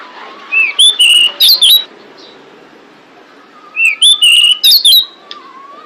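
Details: Female pied bushchat calls meant to attract males, used to lure birds. Two phrases of rising then rapid sweeping whistles, roughly three seconds apart. A faint lower whistle from another bird is heard between them.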